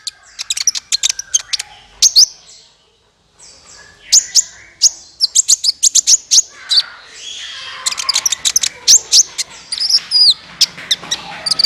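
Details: Trapping lure of a sunbird, described as clear: bursts of very high ticking chips and bright short whistles, a brief pause near two seconds, then busier chattering with buzzy notes toward the end.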